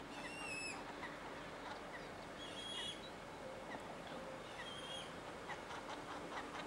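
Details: A juvenile common redshank gives a clear, piping note that drops slightly in pitch, followed by fainter high calls over steady background noise.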